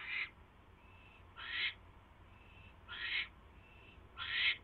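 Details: Male owl delivering a third mouse to his mate, 24 January 2016, 8:34 PM; four drawn-out hissing screeches roughly every 1.4 seconds, thin faint tones in the gaps, low hum behind.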